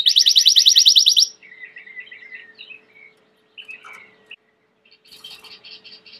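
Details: Belgian canary song opening with a loud, rapid, rattling trill for just over a second, followed by softer warbled phrases and short gaps, ending with a quiet pulsed series.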